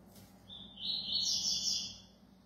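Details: A fast-singing ('velocista') competition double-collared seedeater (coleiro) gives a rapid, high, buzzy twittering phrase that climbs slightly in pitch and runs unbroken for under two seconds, over a faint low hum.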